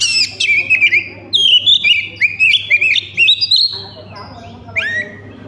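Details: Lure song of an Oriental magpie-robin meant to set others singing: bright whistles rising and falling in rapid strings of short notes, pausing near the end before a final slurred whistle, over a low background hum.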